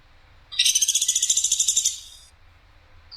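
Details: Woodpecker known locally as platuk sampit, in a tutor recording described as a clear voice firing coarse and sharp: one dry, high, buzzy rattle of rapid pulses lasting about 1.3 seconds over a quiet background.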